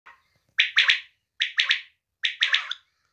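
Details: Female quail calling: a faint opening note, then three bright triple-pulsed calls, each a quick rasping burst of three notes, spaced about every 0.8 seconds against a silent background.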